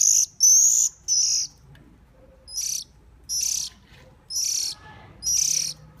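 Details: Hungry bird begging as it is hand-fed: a quick cluster of three loud raspy high calls, a short pause, then four more bursts about every second.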